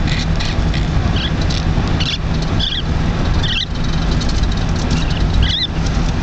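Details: A 9-week-old female turquoise lineolated parakeet gives short, bright chirps at irregular intervals, about five in six seconds, while riding home in a jeep, with steady low road rumble and some rustling of a chip bag.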